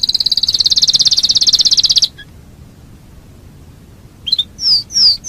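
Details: Canary delivering a dense, high pulsed trill for two seconds, then silence broken by a few sharp clicks and two loud descending whistled slurs.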